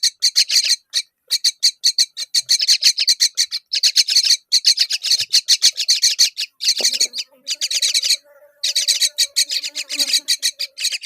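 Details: Fig being fed by a myna to her babies, accompanied by continuous scratchy, buzzy pulses in quick bursts, with a faint low hum and a short gap near the end.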